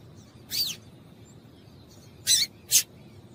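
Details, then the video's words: Female yellow-bellied seedeater giving calls meant to stimulate males: a high chip with a slight downward slur, then after a pause two rapid sharp chips in close succession. "Piado de Fêmea de Papa capim Para Esquentar Papa capim"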